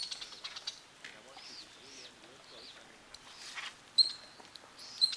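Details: An acorn woodpecker, one of a sociable group at a granary tree of stored acorns. It gives scratchy, arching calls and a few sharp, high squeaky notes in a quiet setting.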